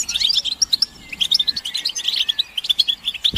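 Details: Stimulating goldfinch chatter for getting males to sing: crisp high chirps in rapid bursts, a short pause around one second, then more tinkling notes and a drawn-out slurred note, ending with a soft knock.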